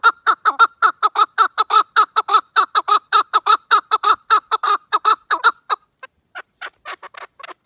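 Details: Partridge calling with a steady series of harsh, clucking notes about once every half second for nearly six seconds, then fainter, more scattered notes trailing off.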